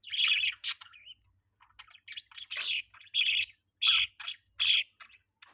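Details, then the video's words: A budgerigar starts with a loud chirp, twitters softly, then gives a run of sharp, bright chirps roughly every half second. "budgie chirping sound"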